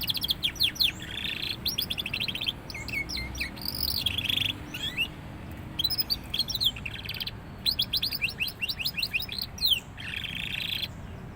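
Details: Juvenile canary coming into full song: long stretches of fast, high, rattling trills and sweeping chirps broken by short pauses, lively and continuous throughout, with faint low background noise.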